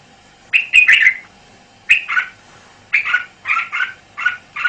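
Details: Red-whiskered bulbul on a Thai VCD of 'bao' style song: warbling phrases of rising and falling whistled notes, some lower and mellow, delivered in four bursts over nearly five seconds with a soft background hum.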